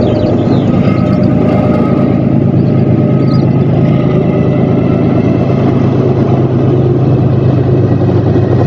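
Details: Loud, steady engine rumble from a running vehicle drones throughout with a low hum, and no animal sound is heard.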